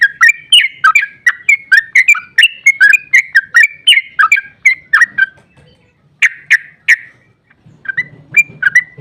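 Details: Energetic long 'ropel' song of a sooty-headed bulbul, played to provoke other bulbuls into singing. A dense chain of quick, warbled whistles for five seconds, a brief silence, then a few loud bursts of notes.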